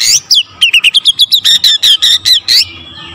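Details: Oriental magpie-robin in full song, used to provoke other magpie-robins into excited singing: a rapid series of about fourteen loud, sharp, chopped whistled notes, evenly spaced, ending in a brief fading tone.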